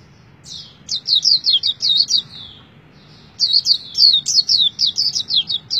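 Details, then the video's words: Kept white-eye delivering an energetic song: two bursts of rapid, very high, thin descending chirps and twitters, separated by a short pause, steady and loud against a faint low hum. "Pleci Tergacor Selama Bermain Pleci"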